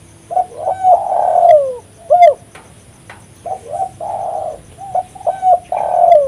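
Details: Spotted dove, described as a lively, persistent caller, in a recording meant for luring and attracting birds. It gives mellow, low cooing phrases: short notes swelling into longer drawn-out coos that fall away at the end, repeated in three bursts over a faint steady hum.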